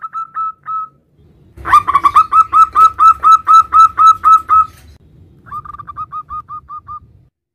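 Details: Male local zebra dove calling to its mate: a few soft coos, then a long loud run of about fourteen evenly spaced, rolling cooing notes, followed by a quieter trailing series of short coos.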